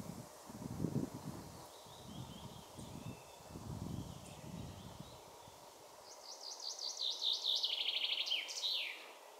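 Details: Song of a common chaffinch, heard in the second half: a quick run of sharp, repeated notes that descend in steps and close with a brief terminal flourish; earlier, only low rustling noise.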